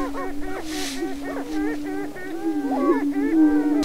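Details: Male display sounds from a Greater prairie-chicken lek near Crookston, Minnesota, spring mating dance, April 2013: an unbroken low hum topped by fast hooting and cackling notes, several per second.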